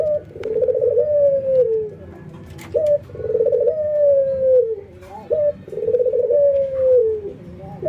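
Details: Two ringneck doves, one albino white and one local, trained routinely, nodding and laughing; three long rolling coos that sag downward at the close, each introduced by a brief rising hiccup note, with soft knocks between.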